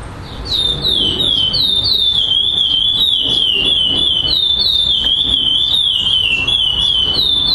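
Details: Male chestnut-bellied seed finch (black curió) placing first at a song tournament in Florianópolis, Brazil, 18 September 2011; long unbroken run of clear high whistled notes looping and slurring downward, about three per second, no other sounds.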